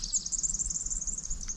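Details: Superb fairywren (Malurus cyaneus) gives a thin, very high, rapid reeling trill running unbroken for over a second, low rumble beneath; in Barmah Forest along the Murray River, Australia, among small birds' loud calls. Finding: Superb fairywren.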